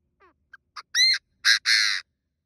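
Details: Decoy Chinese francolin (đa đa) call played to attract wild birds and trap them: faint short opening notes building to three loud, rasping, rich calls, the final one longest.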